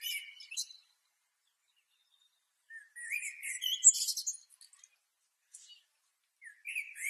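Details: Singing blackbird from Asia, delivering short bursts of high, twittering and chirpy notes separated by silent gaps of a second or two, with a fuller, rich phrase in the middle.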